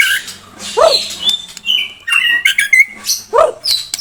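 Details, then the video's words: White-rumped Shama of the blorok variety in a dense song: bright whistled phrases and high sweeping notes mixed with two lower, harsher bursts, packed tightly with little pause. "Murai blorok"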